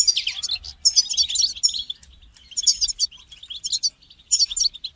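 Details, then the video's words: European goldfinch call-song to stimulate a caged goldfinch: bright, rapid twittering and buzzy trills in three loud phrases broken by brief silences. "votre chardonneret ne chante pas voila la solution"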